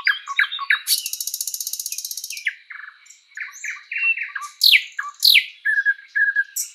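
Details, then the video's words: Sprosser singing in spring woodland: a rapid steady rattle of about twenty notes, then varied chirps, loud sweeping whip notes and short churring phrases. "Bird sounds Nightingale bird singing"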